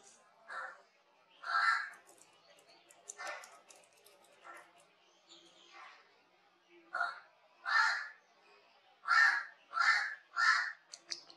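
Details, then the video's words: Crow producing a loose series of rough, nasal caws, some quieter, with a run of four quick caws near the end. "कौवे पक्षी की ध्वनि - crow call & voice"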